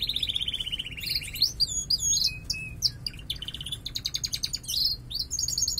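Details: First morning song from a bird in breeding condition, sometimes weaker due to moult: varied phrases of a steady high trill, sharp downslurred whistles, clipped chips and rapid rattles in quick succession.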